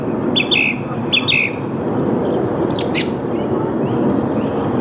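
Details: Song thrush in early morning, Mülheim an der Ruhr, Saarn-Mendener Ruhraue, 8 March 2022 at 08:10, Canon EOS R5: a double chirped phrase repeated twice, a pause, then a high scratchy burst, with constant low background rumble.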